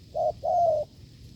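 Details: Single coo phrase from a wild spotted dove met in the fields during a decoy test: one short hoot, then a longer, slightly wavering low coo, loud and clear.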